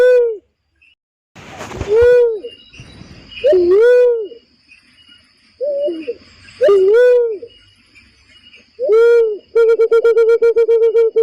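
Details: Barred cuckoo-dove call used to lure birds into traps: several deep, up-and-down hooting notes at uneven intervals, a noisy burst early on, ending in a rapid stuttered series of short hoots.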